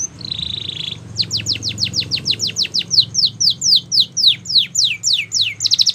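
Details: Canary singing a training tour: a steady high buzzing trill opens, followed by a long regular series of bright falling whistles about four per second, ending in a quick rattle.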